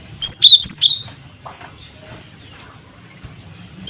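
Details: Lure call of the cinereous tit (gelatik batu), 'cret cret wucit', meant to set other birds calling: four rapid alternating high and slightly lower whistles, then a single falling whistle after a short gap.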